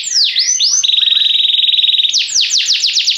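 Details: Yellow Belgian canary singing: it opens with a few swooping whistles, then holds a steady, buzzy rattle for about a second, and finishes with a quick run of repeated down-slurred notes.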